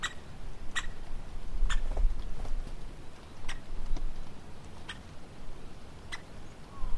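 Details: A woodpecker calling in the wild: sharp, dry, very short notes spaced irregularly about once a second, set against a constant low rumble of wind or distant background noise.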